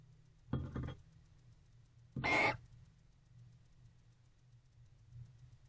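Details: Female barn owl in a nest box at night, 3:09 am, September 2023. A short breathy rasp is followed by one louder, harsh hissing screech over a constant low hum.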